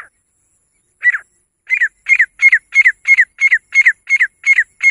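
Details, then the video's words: Female grey francolin (gora teetar) calling: after one opening note, a fast, steady series of harsh, double-pulsed notes follows, about three per second, with no other sounds. "Best female teetar ki awaaz grey francolin voice"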